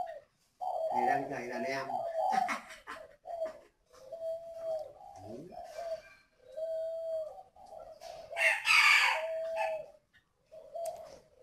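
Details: Captive spotted dove used as a seasoned decoy, placed beside a young bird to see if it engages; a series of short, steady, mid-pitched coos separated by pauses, with a man's speech early on and a brief rustling burst near the end.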